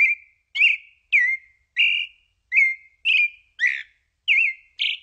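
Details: Creamy-bellied Thrush (Turdus amaurochalinus, sabiá-poca) singing its song, known as sad: nine short, clear whistled phrases, each slurred or warbled, about every half second in an unhurried series, no other sounds.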